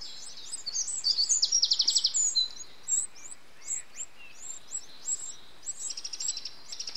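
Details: Nestling Eurasian wrens begging while an adult feeds them, 8 June 2013: a loud fast buzzy trill of rapid high pulses, then many thin rising and falling squeaks and another trill closing, faint hiss behind.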